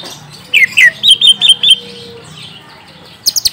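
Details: Young wild-caught orange-spotted bulbul answering a lure song: a burst of six bright, slurred whistled notes, each rising then dipping, delivered rapidly over about a second, followed by a quiet pause and a few sharp high clicks.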